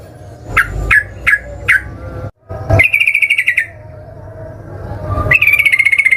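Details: Sooty-headed bulbul singing hard with rapid trills to goad other birds into answering: four short sharp notes, a brief silence, then a pulsed buzzy trill and a later high sustained trill.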